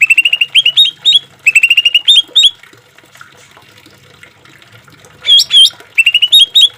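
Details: Green leafbird song over trickling water, made for training and calming caged birds: bursts of quick upslurred chirps, a quiet pause with water, then loud swept whistles and more chirp runs.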